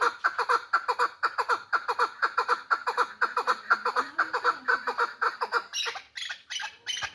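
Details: Hybrid, hand-tame chukar partridge giving a fast run of harsh, clucking chuk notes, about two per second in a steady rhythm for six seconds, ending in a few louder, rougher bursts.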